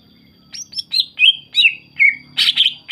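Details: Greater green leafbird singing a lively, energetic song used as a lure to provoke other birds into answering: a rapid series of bright whistled notes and slurred chirps, some rising and some falling, delivered in quick succession.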